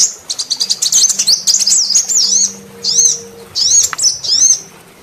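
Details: Female sunbird lure call aimed at males: a quick series of sharp high clicks leading into wavering, looping whistles, then several separate short warbled phrases, with a faint steady hum underneath.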